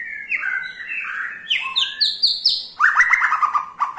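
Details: White-rumped shama (murai batu) from Indonesia, kept as a cage bird, delivering a ketrekan to spur other shamas: a varied run of sliding whistles climbing higher, then a lower rapid chattering trill.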